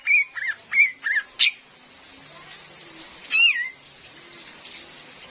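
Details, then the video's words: Female cream-vented bulbul call used as a forest trapping lure, with real rain: a quick cluster of four or five wavering and dropping whistles, a pause, then one longer wavering whistle, over steady rain noise. "SUARA ASLI KAPAS TEMBAK BETINA"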